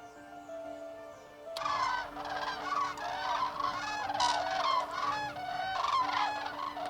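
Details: Common Cranes on winter migration, thousands crossing the French sky over the Allier plain in Auvergne; a flock's loud, overlapping trumpeting and bugling calls pour in suddenly, heard over steady background music.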